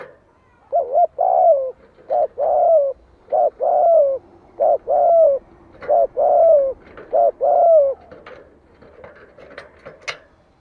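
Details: Decoy spotted dove cooing to lure wild rivals into a fight; low hollow coos repeat in quick pairs of short and longer downslurred notes, about eleven notes over ten seconds, with a few light clicks near the end.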